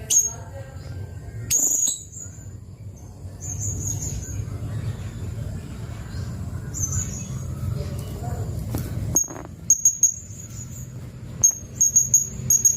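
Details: Blue-crowned hanging parrot used as a training recording for white-rumped shamas: sparse very high, sharp notes early on, a long quieter gap with low noise, then quick runs of piercing high chips near the end.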